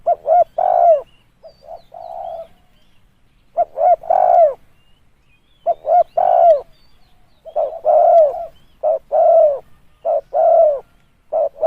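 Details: Spotted dove cooing as a lure. Soft hoarse notes come in broken phrases, with short coos and longer falling coos. Near the end the notes speed up into a run of evenly spaced coos.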